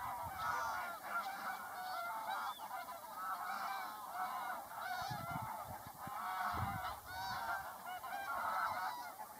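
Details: Many mixed geese honking together, overlapping nasal calls rising and falling in waves, with a few low thumps and steady background hiss.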